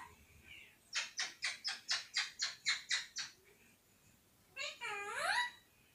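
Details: Talking parrot that mimics the words "mithu mithu radhey radhey" and whistles: about ten quick, evenly spaced clipped syllables in a row, a pause, then a loud rising whistled glide, indoors with a quiet background.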